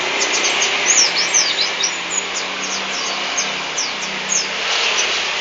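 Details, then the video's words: White-eye of the Lambur local type giving a lively stream of sharp, very high, descending chip notes, irregularly spaced and sometimes doubled, continuing through the whole recording above a constant broadband hiss. "Suara burung pleci lokalan Lambur"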